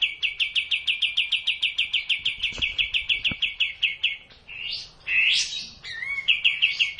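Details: A kapas tembak bulbul sings for cage-bird training: evenly repeated quick, high notes for four seconds, then varied swooping and twisting whistles before the repeated notes return. A couple of faint clicks are audible.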